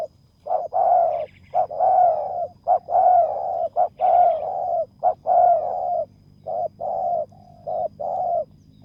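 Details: Decoy spotted dove cooing at a ground lure site to draw in a rival: rapid phrases of short hoots and longer rolling coos, slightly falling in pitch, with soft twittering from another bird and little else.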